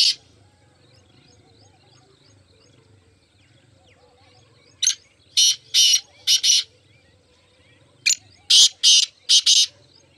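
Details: Grating, rasping calls of black francolins, four birds present: a lone note, a long silence, then two phrases of four or five harsh notes each, over a low steady hum.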